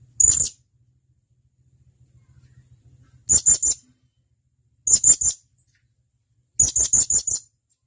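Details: Male blue-crowned hanging parrot calling to a mate with sharp, very high, thin notes in quick bursts of one to five, bursts spaced irregularly over several seconds, faint low rumble between them.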